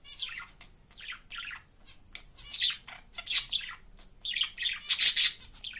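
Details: A pet budgerigar that constantly sings wherever it is, warbling a steady stream of chirps, rasps and squeaky twitters.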